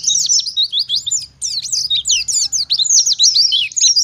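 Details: Forest-style Oriental white-eye singing loudly to prompt other white-eyes to answer: fast high slurred chirps and thin twitters, a short silence near 1.3 seconds, then dense song resumes, faint low rumble beneath.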